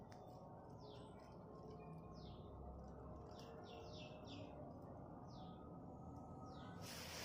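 Eight-day-old tailorbird chicks give thin, high, down-slurred cheeps in quick scattered bursts over a steady low rumble of background noise.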